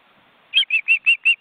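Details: Osprey nest in an Estonian forest reserve on a live webcam, adults with large chicks beating their wings. After a quiet moment, six loud piping whistles come evenly spaced, about five per second.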